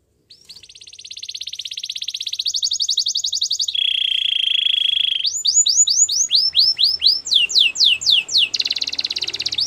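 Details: Singing Belgian canary delivering a dense rapid trill, then a flat low buzzing roll and a run of bright rising-falling whistled slurs, with faint low background hum.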